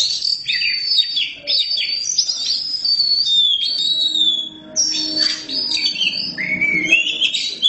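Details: Kacer hitam, the black Oriental magpie-robin, in full gacor song: a varied, continuous stream of high whistles, trills and sliding notes with a brief break midway, faint music underneath.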